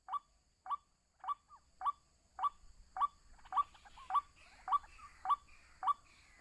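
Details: A lured white-breasted waterhen repeats a clipped, rising ruak note at a regular pace, about twelve times; in the second half other chattering bird calls join in the background.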